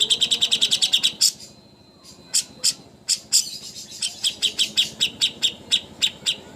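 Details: Cucak hijau master song for contest training. Opens with a fast run of bright high notes, then scattered single chirps after a short silence, building again into a quick series of sharp whistled notes.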